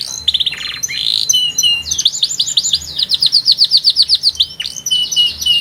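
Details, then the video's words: Strong canary song opening with buzzy rolled trills, then a long, even series of quick repeated downslurred notes and a final sweeping whistle; faint low hum behind. "صوت الكناري قوي مع أغنية مريحة ولكن بإيقاع فريد"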